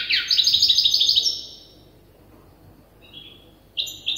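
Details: Goldfinch hybrid, young and still memorising its song, gives a quick run of a dozen bright repeated notes, falls silent for about two seconds, then adds short thin notes.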